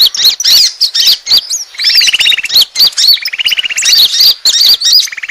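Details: Luring sound of Asian glossy starlings used to attract birds: sharp squeaky whistles and slurred chirps alternate with lower buzzy rattling trills about a second long, repeated several times.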